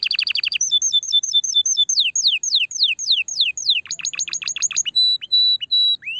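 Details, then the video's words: Canary singing to stimulate the female for breeding: quick repeated chips give way to evenly spaced whistled notes, a run of steep downslurred sweeps, a rapid burst of descending notes, then sustained pure whistles. "Chant de CANARI pour STIMULER la FEMELLE"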